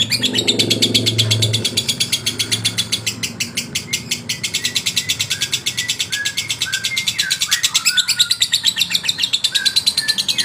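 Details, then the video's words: Male lovebird chattering to provoke rivals: a long train of fast, high, buzzy pulses with a few short downward-slurred whistles, over a low hum at the start. "SUARA LOVEBIRD JANTAN MERANGSANG EMOSI LAWAN"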